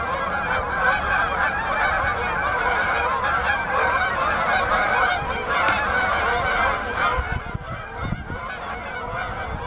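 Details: Flock of Canada geese looking for open water, Bass Ponds, Minnesota, November 2013; loud, dense, continuous honking chorus of many birds, thinning slightly and growing patchier over the last two seconds.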